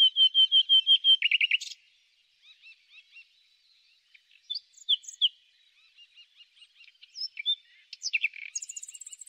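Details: Common nightingale singing in spring: a loud run of rapid repeated whistled notes, a sharp buzzy burst, then quieter varied chirps and twitters, ending in a high rattling trill over a silent background.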